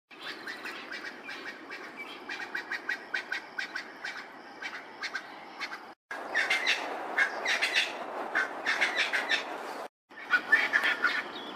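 Natal spurfowl giving loud, harsh, grating cackles, rapid rasping notes tumbling over one another in long bursts, with brief breaks between bouts.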